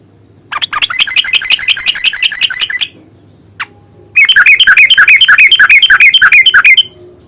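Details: Yellow-vented bulbul with long rapid fighting chatter used as a lure: a slightly softer run of quick repeated notes for over two seconds, a single click, then a louder, denser rolling burst of similar length.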